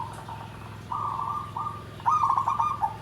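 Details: Zebra dove (perkutut) singing in the style called nggandem gedhe garing: low, mellow coos, a short broken phrase, two long level notes, then a warbled rolling burst with a soft trailing note. Steady low hum throughout.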